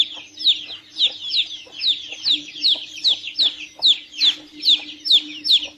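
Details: Several chicks piping together, bright downward-sliding peeps in a fast uneven stream, about two and a half per second, over a constant low hum.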